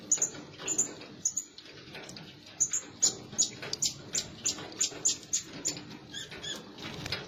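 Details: Blue-crowned hanging parrot lure sound to attract birds: a series of sharp, very high squeaky chips repeated roughly every half second, over a steady background hiss.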